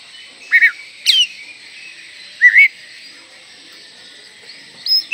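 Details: Oriental magpie-robin in full song with tail opened, played to spur young birds into singing; four separate short clear whistles, upslurred and looping, spaced about a second apart, with constant high-pitched background hiss.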